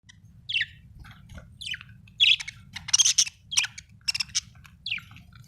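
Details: Budgerigar, an Australian bird, giving bursts of bright, buzzy chirps, some short and single and others clustered into rapid scratchy runs, over a steady low hum.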